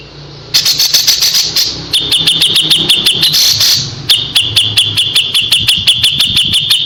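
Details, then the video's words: Kapas tembak singing nonstop in a rattling, machine-gun-like series of hard high notes, broken into three long runs with brief pauses, over a low background hum; the fiery 'tembakan' style is offered as tutoring for white-rumped shama. "KAPAS TEMBAK GACOR JEDA RAPET"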